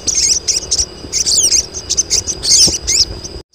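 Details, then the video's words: Crested jay females, a colony calling for males: tumbling high twitters and arched squeals in bursts, overlapping voices, constant thin whine, ending abruptly in silence. "KOLONI SOGON BETINA || SOGON JANTAN LANGSUNG BUNYI"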